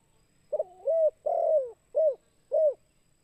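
A spotted dove gives a soft, low cooing phrase of four hooted notes, the second long and drawn out. The background is otherwise quiet.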